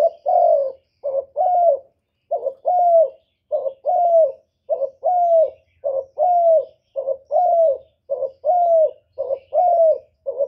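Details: Spotted dove cooing steadily, about nine mellow low phrases in ten seconds. Each is a clipped note then a longer downslurred coo, with an even rhythm and nothing else audible.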